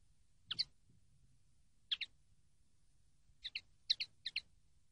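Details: Common linnet on a song-training recording: clipped paired high chirps, first isolated, then a quicker cluster of three doubled notes near the end, over near silence.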